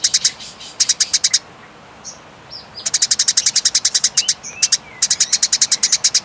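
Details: Eurasian tree sparrow in a fight, clearly recorded for tutoring: bursts of quick, shrill chirps strung into long trains, broken by brief gaps with faint slurred whistles.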